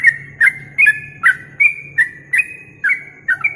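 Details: Yellow-vented bulbul masteran song for training songbirds for contests: crisp whistled notes, often sliding downward, delivered about two and a half times per second over a faint low murmur.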